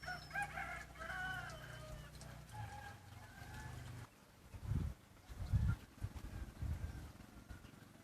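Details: Red junglefowl decoy cock, set loose to challenge rivals and rouse their fierceness, gives one drawn-out harmonic crow lasting about two and a half seconds, followed by low thuds and knocking sounds.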